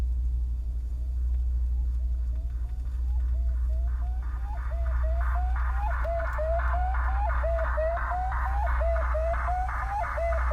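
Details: A Northern Saw-whet Owl's monotone whistled toots, picked up in a strange broadcast on 96.7 FM in Portland, repeat in a steady run with a distortion filter added, over a heavy low hum.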